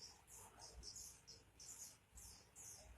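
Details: Gacor song of a pleci, or oriental white-eye: quiet, high-pitched chirping phrases in short bursts roughly every half second.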